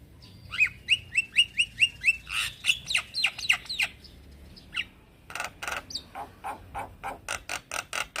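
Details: A male Javan myna calls young companions with a row of eight evenly spaced whistled notes, then harsh rasping bursts and a long train of loud, dry clicks.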